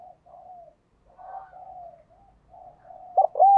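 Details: Spotted dove used as a decoy to call in wild birds: mostly soft, drawn-out murmured coos, ending with the loud start of a sharper cooing phrase.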